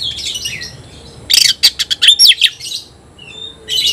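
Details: Oriental magpie-robin in a singing contest with a rival: quiet scratchy warbling, then a loud burst of sharp clicks and whistled notes, a soft whistle, and another chattering burst at the end.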